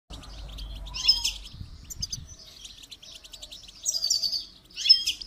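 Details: Goldfinch song used for song training: bursts of bright, high twittering with buzzy trills and sharp chirps, louder phrases near the start and end, over a faint low rumble.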